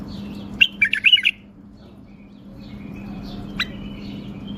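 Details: A tame caged male bulbul in Baghdad, Iraq, gives one quick, bright phrase of liquid chattering notes, then a single sharp note a few seconds later, over a steady low hum.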